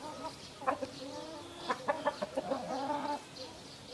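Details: Sussex and Brahma roosters facing each other, with a white Brahma rooster between them: short sharp clucks, then a drawn-out harmonic crow of about a second and a half with a dip near its end, and brief louder notes over it.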